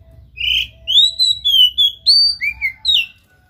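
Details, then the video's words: Oriental magpie-robin pouring out a lively song: a buzzy first note followed by a series of clear, varied whistles, some rising and some dropping, about nine notes packed into three seconds against a quiet hum. "JANGAN BIARKAN KACER ANDA MEMBISU pacing DENGAN KACER GACOR INI"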